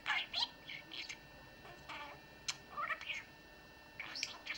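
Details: Talking pet budgerigar, indoors, trying out rhymes and sayings: bursts of shrill, speech-like chatter with short gaps between them.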